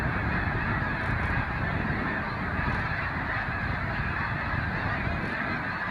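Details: Large numbers of wild snow geese in Canada taking off at sunrise on 26 April, leaving the water where they spent the night to feed in fields; a dense, continuous roar of overlapping honks and wingbeats.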